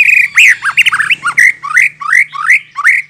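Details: White-rumped shama song used as a lure to make other birds respond: loud varied phrases of rising whistled notes and harsh squawky slurs around the middle pitches, delivered rapidly about two or three per second.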